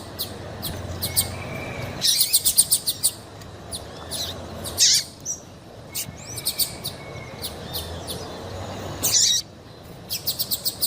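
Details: Female double-collared seedeater call for stimulating males to sing: repeated bursts of rapid high chirps and swooping slurred notes every few seconds, with a faint steady low hum beneath.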